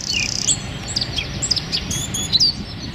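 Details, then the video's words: Wren song, a rapid 'tembakan' shooting style used as a training recording for songbirds: sharp high chirps and short whistled notes scattered across three seconds, with a faint low hum underneath. "Suara Tembakan Wren Bird Suara Bren Tembakan Rapat Burung Kecil"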